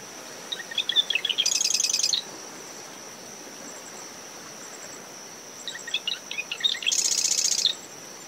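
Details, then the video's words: Marsh wren singing early morning from dune shrubs around a nest at SMNWR after post tropical depression Claudette, recorder ten meters from high tide line: two songs, each a run of sharp ticking notes into a dense buzzy rattle, over wind, waves and steady cricket trill. "Marsh Wren Calls"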